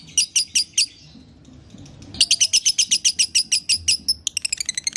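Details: Lovebird sound intended to restart a pet lovebird's singing: a few shrill chirps, a short quiet gap, then a quick steady chain of bright notes ending in faster, thinner chips.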